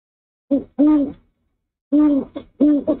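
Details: Male owl at the nest, 06:19 on 04/06/23, hooting beside the female after a rat delivery. Paired deep hoots, each a short note followed by a longer drawn one, separated by a brief silence.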